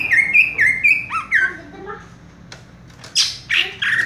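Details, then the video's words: A caged cucak ijo (green leafbird) sings "raja tembak": a quick string of whistled slurs, a brief lull with faint low notes, then harsh, noisy squawk-like bursts. "cucak ijo " raja tembak ""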